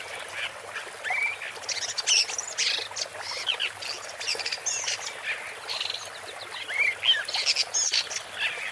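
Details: A woodchat shrike in Malaga, Andalusia, Spain, in May 2020 sings a rambling, scratchy warble of short chirps, trills and quick rising and falling whistles, running on almost without pause.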